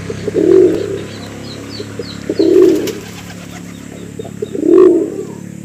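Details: Pigeon calling to lure a female: three low, rounded coos, each about half a second long and spaced roughly two seconds apart, over a steady background hum.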